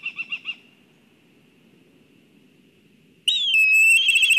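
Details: Agitated Black kite at its nest in Kurzeme, Latvia: four quick high notes trail into a thin held whistle, then a loud, shrill, quavering whinny with rapid trilled notes over a faint low rumble.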